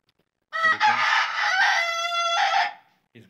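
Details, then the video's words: A white rooster gives one loud, harsh crow lasting about two seconds, opening with broken notes and ending in a long held tone. "My Roosters are Crowing"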